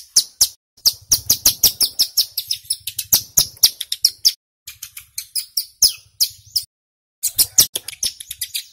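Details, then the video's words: Male Bar-winged Prinia, called ciblek gunung, singing a long 'nembak rapat' lure phrase to provoke wild birds: rapid piercing high chips and short trills in quick succession, broken by a single brief pause. "Suara CIBLEK Gunung GACOR PIKAT - Pancingan Ampuh Bikin Ciblek BAHAN Cepat EMOSI Bunyi NGEBREN"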